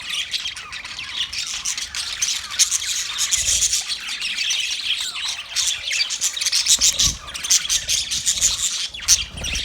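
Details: Budgerigars in a cage keep up dense, continuous high-pitched twittering and scratchy warbles for nearly ten seconds, with small clicks throughout.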